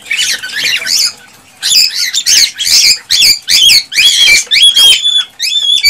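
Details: ['Excited male cockatiel song used to prompt breeding in a female. After one scratchy phrase and a pause comes a rapid run of harsh warbles, then clear whistled notes held near the end.']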